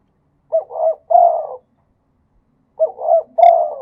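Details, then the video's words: Thai spotted dove singing khat and nun style: two crisp phrases, each of short doubled coos ending in a longer falling coo, separated by about a second of silence. ""ทั้งขัด ทั้งหนุน" เสียงนกเขาใหญ่"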